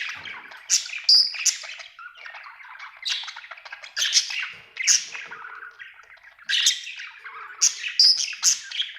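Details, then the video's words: Happy pet budgerigar chirping: busy warbled chatter of buzzy squawks and short bright chirps, rising in loud bursts around one and four seconds and again near seven and eight. "Happy budgie chirping sound"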